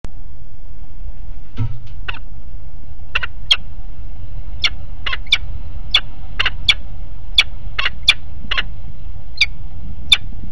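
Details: A female peregrine falcon at Alphen aan de Rijn, Netherlands, on 12 February 2017 gives a series of about fifteen harsh, clipped notes, roughly two a second, over a steady low rumble.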